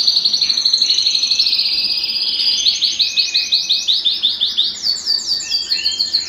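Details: Belgian canary singing to stimulate males and bring hens into breeding condition; brisk repeated trill notes, a short warbled passage, then a loud rhythmic trill of evenly spaced high notes and rising sweeps.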